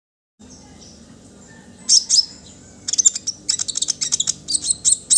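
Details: Orange-headed thrush song used as a training recording to prompt other birds to sing: silence, then sharp high chattering notes from about two seconds, building into fast dense bursts of twittering phrases.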